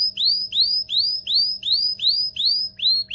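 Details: Excited canary singing to stimulate males and prepare females for mating: a steady run of bright rising whistled upsweeps, about three per second, with a faint low hum underneath.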